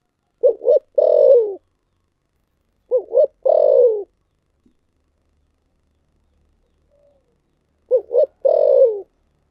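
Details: Three coo phrases from a spotted dove singing the thổ sấm style, spaced about every three and a half seconds. Each phrase is two brief, rising notes and then a longer, resonant note that falls at the end.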